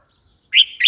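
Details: Red-whiskered bulbul call: after a moment of quiet, two bright, short chirped notes close together, the first louder and slurred, the second a quick clipped echo, with no other sounds.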